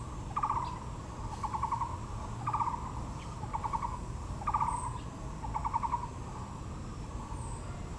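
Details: In Taipei's Yangmingshan National Park among azaleas, a Taiwan blue magpie gives a steady run of coarse, pulsed rattles, each about half a second long and spaced about a second apart, over a low background rumble.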